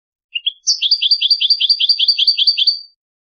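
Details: Palestinian goldfinch song: two short rising notes, then a two-second run of about fourteen evenly repeated, doubled, high-pitched notes, clean and without background sound.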